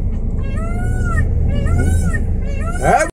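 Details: Peafowl (peacock) heard by a road in Rajasthan giving loud, nasal, arching wails, two drawn-out calls and a short third, over a steady rumble of road traffic.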